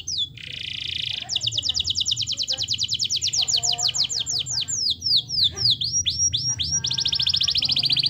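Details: Canary singing vigorously as a lure for lazy canaries: a buzzy opening note, then an extended rolling trill of high descending sweeps, a few lower twangy notes, and a fast even trill at the end.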